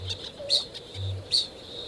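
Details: Male kākāpō (Strigops habroptilus), New Zealand, breeding season: two sharp, metallic, high-pitched 'ching' notes about 0.8 seconds apart over a faint low hum; a directional call, mixed with booming from dusk to dawn, leading females in to mate.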